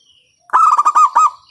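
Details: Zebra dove, a local bird with a strong voice, sounding a trigger call for other doves: a tight burst of six or seven rapid, ringing coo notes, the last one longer.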